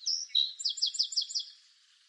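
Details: Song sparrow song: two clear opening whistles, one high and one lower, followed by a fast trill of about seven quick downslurred notes that fades into quiet background.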